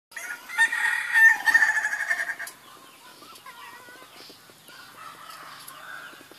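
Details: Ayam ketawa rooster crowing: a loud, harsh, buzzy drawn-out crow lasting about two seconds with some wavering, then fading into quieter background sounds.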